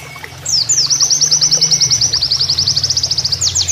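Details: Canary-like Oriental white-eye master song with flowing water: one sustained, very rapid, high-pitched trill of evenly repeated notes, ending in a few downward sweeping notes.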